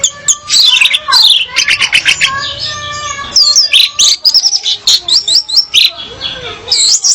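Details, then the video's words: Orange-headed thrush female singing to attract a male: loud varied phrases of rapid chirps, rolling warbles and high whistled slurs, with short pauses between bursts. "Kicau Anis Merah Betina Pemikat Anis Merah Jantan Biar Gacor"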